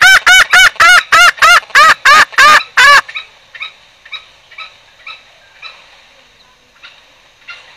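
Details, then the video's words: Lure call of green junglefowl used in trapping: about ten loud, nasal, harmonic notes in quick rhythm over three seconds, then only soft, distant clucks repeating. "suara pancingan ayam hutan hijau"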